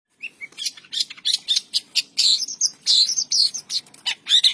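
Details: Long-tailed shrike singing in a morning setting in Indonesia, a fast run of harsh, scratchy chirps and buzzy notes in quick succession, with a few higher squeaky whistles mixed in.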